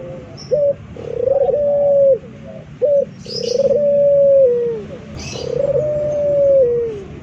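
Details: Local male dove, kept as a song model for training, cooing low and mellow: short abrupt coos followed by long drawn-out level coos that drop at the end, about two long phrases, with faint brief rustles.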